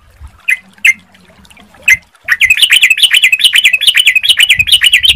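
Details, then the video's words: A few scattered chirps, then a sooty-headed bulbul bursts into steady bubbly song, about two notes a second, rising and falling in repeated slurred phrases, played as a lure so other birds reply. "Pancingan Suara Trucukan Anda Pasti ikut Bunyi / Nyaut"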